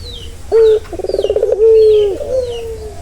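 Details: Turtle dove cooing in a relaxing call said to soothe a stressed bird: a short clear note, then a fast rolling trill, then a long steady falling coo. Faint higher bird chirps behind.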